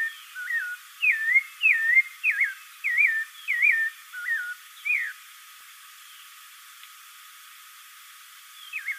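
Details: Spectacled thrush song: a quick burst of about nine sharp looping whistled phrases in five seconds, then near silence before a single faint phrase at the end.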